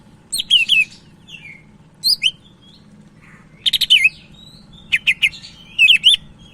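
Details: Lively Sumatran leafbird, cak ijo Medan, recorded as a tutoring and provoking track for other leafbirds: short groups of sharp, twisting whistled notes and buzzy chatters, spaced by brief silences over several seconds.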